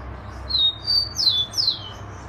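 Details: Rufous-collared sparrow singing one phrase: a pair of thin, steady high whistles followed by two sharp descending slurred notes, clean and loud against a quiet low background rumble.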